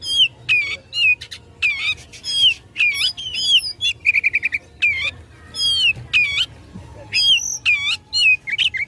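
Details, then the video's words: Fighting song of an Oriental magpie-robin provoking rivals: loud downslurred and upslurred whistles with a fast buzzy trill midway, phrases spaced by brief gaps. "Kacer Gacor tarung memicu emosi lawan"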